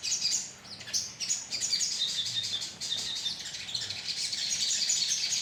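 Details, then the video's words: Sunbird colony lure recording with many birds chattering together in high, sharp, overlapping tweets and squeaky chirps, a busy uninterrupted din. "pancingan suara koloni sogon"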